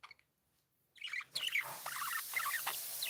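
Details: Happy pet budgies chirping: after a second of near silence, quick high chirps and warbled notes tumble over a steady background hiss.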